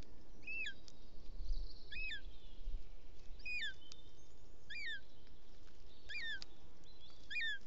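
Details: Young Bonelli's eagle at a nest in Catalonia's Ports Natural Park, June, calling to the female for help eating a toad brought by the male; sharp hooked squealing notes, about six evenly spaced over several seconds, with faint background hiss.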